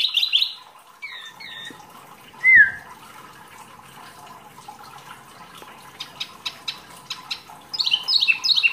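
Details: Wambi mini, a rarely kept cage bird, in a masteran tutor recording: scattered sharp chirps and a bright falling whistle, then quiet, then a burst of rapid high twitters near the end, with a faint steady hum.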